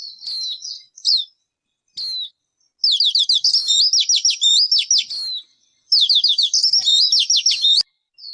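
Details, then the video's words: Bird calls: several high whistled notes, then long runs of rapid, twittering, descending chips repeated in quick succession, with short silent gaps between bursts and no other sounds. "Suab noog ncwb qua dib tuaj zoo tiag tiag."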